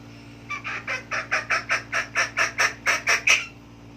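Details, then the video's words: Chicken giving a quick run of about twelve harsh, nasal clucks, evenly spaced and growing slightly louder toward the end, over a steady low hum. "Funny chicken sound"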